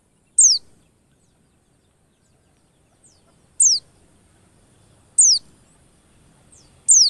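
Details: A lure recording meant to push white-eyes into quick song: single high, piercing, downslurred whistles spaced roughly one and a half seconds apart, four in all, in an otherwise near-silent background.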